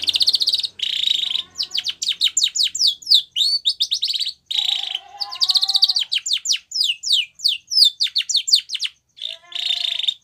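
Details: Training song of a white Spanish Timbrado canary: metallic buzzy rolls alternate with quick descending chirps, some lower warbled trills beneath, phrases broken by short pauses.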